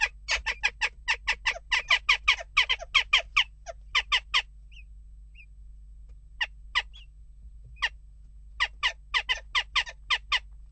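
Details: Unrest at a nest box among western jackdaws: a long rapid series of short harsh calls, a quiet gap of about two seconds, then scattered notes building into another fast run.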